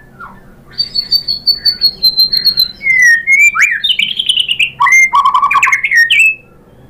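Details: White-rumped shama performing its lure song with imitated material: a long high steady whistle, then looping slurred phrases dipping and climbing, and a run of lower warbled notes before a final high whistle.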